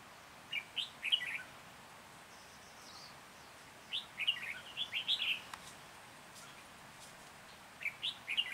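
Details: Red-whiskered bulbul singing during a trapping session in Hòa Bình on 14 January 2021. Short, bright, warbled phrases of quick rising and falling notes come in three bursts a few seconds apart over a quiet, hissy outdoor background.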